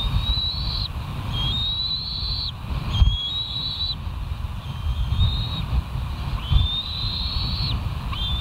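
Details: Bald eagles filmed by a live nest cam at West End on 20 September 2023, 06:54; five long, high whistled notes, each sliding upward and then holding, spaced a little over a second apart, with steady low wind-like rumble beneath.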